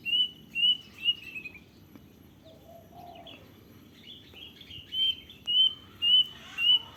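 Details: Plaintive cuckoo in the wild: three clear whistles open the clip, then after a lull a steady series of five high, piercing whistled notes about half a second apart, with a lower slurred call from another bird between and constant background hiss.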